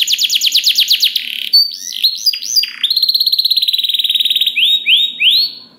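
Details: Canary in full song as a model for other canaries: a rapid series of falling whistles, twisting slurred notes, a long even buzzy trill, then three rising swooping whistles.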